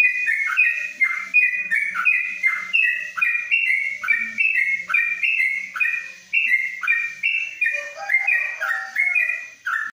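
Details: Caged yellow-vented bulbul (trucuk) in a covered cage in Kebumen singing long 'ropelan panjang' song, a steady run of descending whistled phrases for about ten seconds. A lower, softer sound briefly appears near the end.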